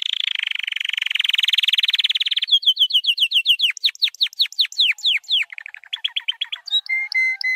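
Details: White canary's training song opens with a long rising buzzy roll, then breaks into a cascade of clear falling whistles, a quick rattling phrase and a few flat high tones.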